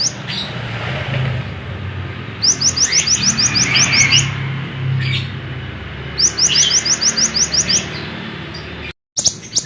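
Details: Lemon-bellied white-eye singing for songbird training, with two rapid trills of high rising notes repeated several times a second, separated by softer warbling, over a low hum; a brief cut near the end.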